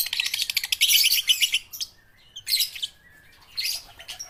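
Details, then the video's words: Juvenile lovebirds learning to sing open with a busy stretch of shrill, grating chirps. Shorter separate bursts follow, divided by quiet gaps. "pancingan lovebird balibu - Lovebird paud belajar bunyi"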